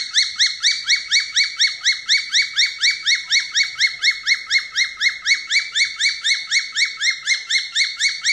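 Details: Falconet whistling used as a daily training song for falconets: shrill, ringing notes repeated about twice a second in an unbroken, even series, with nothing else audible.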